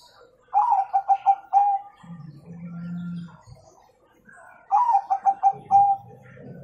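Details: A zebra dove, a singing bird used to prompt young doves to sing, gives two soft cooing phrases, each a quick stuttering run of notes ending in a longer coo, about three seconds apart, with a faint low hum between.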